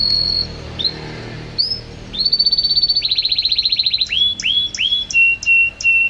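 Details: Canary song with varied phrases: a held whistle, a few upslurred notes, then a fast buzzy trill of rapid repeated notes, followed by looping whistled upsweeps and steady piping tones repeated in quick succession.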